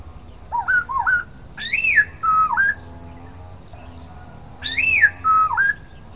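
Black-throated laughingthrush giving loud, rich whistled phrases that swoop up and down, repeated about every three seconds, over a faint steady high hum.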